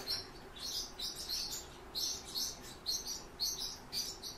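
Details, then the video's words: Nestling Song Thrushes begging while the father feeds them, high buzzy chirps repeated in quick bursts roughly twice a second, uneven in rhythm, over faint background hum. "Певчий дрозд"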